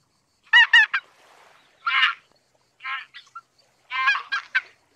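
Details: Greater white-fronted goose giving a few clustered, nasal, harmonic honks, two quick notes at first and then separate yelps, with silence between.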